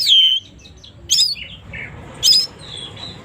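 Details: Oriental magpie-robin singing in the morning. Three loud, sharp whistled phrases come about a second apart, each opening with a high sweeping stroke and then falling. Faint low hum runs underneath.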